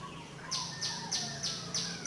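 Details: Warbling white-eye parent at a wild nest with three hatched chicks, bringing food to the nestlings, gives a quick run of sharp, very high chips, about three per second, over a faint low hum.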